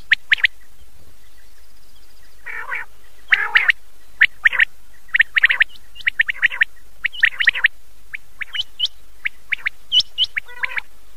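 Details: Common quail calling at night, copied from an old cassette: clusters of sharp high notes and a few hoarse, buzzy lower notes, later giving way to quick upward-hooked whistles.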